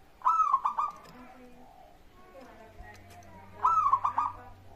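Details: Zebra dove, a local bird singing actively as a lure to make others sing: two rolling trills of quick coos roughly three seconds apart, heard over a noisy background with low rumble.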